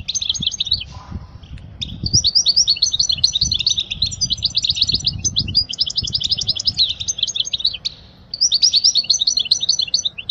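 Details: European goldfinch singing for young goldfinches to copy: a long, almost continuous stream of chattering twitters and bright trills with a few short breaks, over soft low-pitched background noise.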